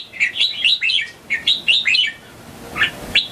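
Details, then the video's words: Young red-whiskered bulbul already answering the songs of other bulbuls, giving sweet, quick whistled phrases of bouncing notes in two bursts. "Merbah Jambul Suara Merdu."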